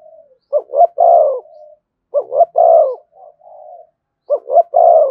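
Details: Spotted dove cooing in the "giọng thổ" style with "thúc" and "kèm" phrases. Three phrases about two seconds apart, each two short throaty notes then a long, falling, deep coo, with soft low hums trailing between them. Quiet background.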